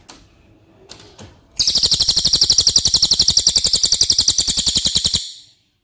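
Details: Cililin singing as a tutor for contest songbirds: a few soft clicks, then a long, steady, rapid trill of dry, high buzzy pulses lasting over three seconds before stopping abruptly.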